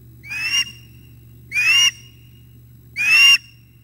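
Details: At 06:25 on 9 August 2021 an osprey male arrives at the nest with breakfast and a chick takes it; three strained, upslurred whistled calls spaced roughly every one and a half seconds, with a faint low hum beneath.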